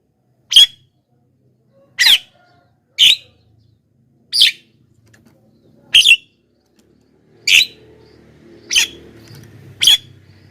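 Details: Javan myna calls used to lure wild mynas: eight short, harsh, broadband chack notes spaced one to one and a half seconds apart, with a faint low hum late on.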